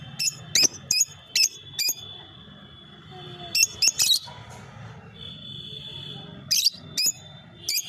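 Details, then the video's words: Lovebird chirping: rapid series of piercing high chirps, some in quick doubles and triples, with brief pauses between bursts and a steady faint background hum. "Love bird ❤️❤️ sound 💕 chirping sound so sweet"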